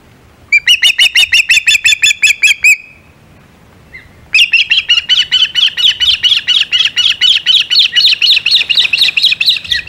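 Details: Osprey calling at the Hog Island nest, 17 July 2020, during delivery of a shad: a quick run of piercing chirps, a brief pause, then a longer, insistent series of high whistled chirps that climbs slightly toward the end.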